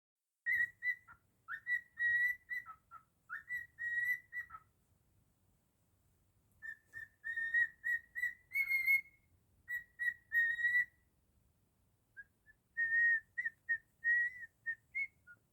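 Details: Pet cockatiel (Nymphicus hollandicus) whistling its own version of the learned tune Jingle Bells in clear, steady notes grouped into short phrases.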